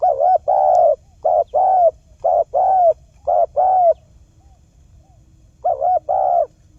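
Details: Spotted dove lure call for catching wild birds: a fast run of paired low coos, a quivering note then a longer hoot, about four pairs, a pause, then another pair.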